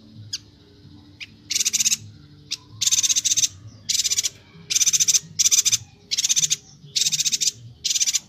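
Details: High sharp chips lead into a run of dense, rasping, buzzy bursts from a loudly singing Bornean yuhina, tutor audio for songbirds. The bursts come in quick pairs and groups.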